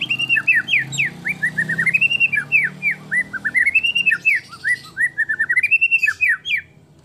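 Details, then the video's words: White-rumped shama singing continuously, used as a lure to make other shamas sing: rich, varied whistled phrases with quick rising and falling slurs, delivered in a long unbroken run with a faint low hum beneath. "MURAI BATU GACOR FULL ISIAN FULL TEMBAKAN DURASI PANJANG. PANCINGAN MURAI BATU PILIHAN MURAI GACOR"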